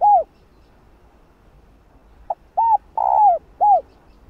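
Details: Female spotted dove calling a male: a closing coo, a long pause, then a full phrase of a pip, an arched coo, a long drawn note sliding down and a final coo, low and mellow.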